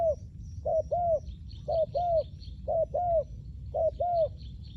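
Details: Paired mellow coos of a spotted dove kept for luring wild doves, four evenly spaced doublets of short note plus longer bowed note about every 1.2 seconds, with faint high bird chirps and low background noise.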